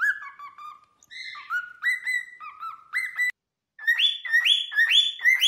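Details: A cockatiel outdoors among spring flowers and blossoms whistles a string of clear, rising notes, repeated in quick, chirpy phrases.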